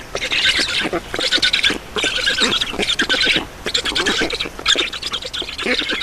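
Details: At a black stork nest in Estonia during feeding, 7 June 2019 at 16:44, scratchy rasping calls come in rapid pulses, roughly one burst per second, separated by brief gaps.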